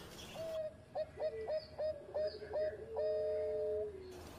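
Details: Former champion zebra dove with an engkel song: a row of short, evenly spaced coos, each with a quick upward flick, ending in a long level note that sinks gently. Background noise throughout.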